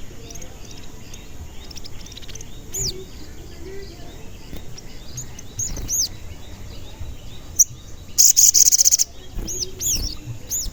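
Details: Crimson sunbird giving its frequent cuit cuit calls, meant as a lure to stir other sunbirds into singing; a loud rapid burst of very high chirps near the end, after many fainter arching whistles from surrounding birds.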